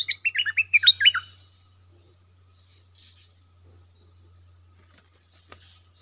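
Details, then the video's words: Bulbul singing a song style meant for teaching young birds and luring wild ones: a rapid run of about nine sweet, slurred notes in the first second, then near silence with a faint low hum. "เสียงนกดอกแตงEp.122สำหรับหัดลูกป้อน/ลูกเสอ มีครบในครบในคลิปเดียว สับดอก-เบิ้ล-ริก เพลงเพราะน่าฟัง"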